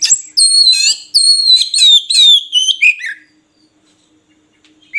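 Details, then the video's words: ['Oriental magpie-robin song made of loud, pure whistled notes in quick succession, each sliding down slightly, ending in a falling scratchy phrase, followed by near silence.'] "Suara Burung Murai Kampung"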